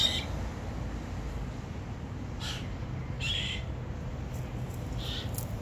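White-winged chough fledglings give four short, harsh, rasping begging calls at irregular intervals, over a steady low rumble of background noise.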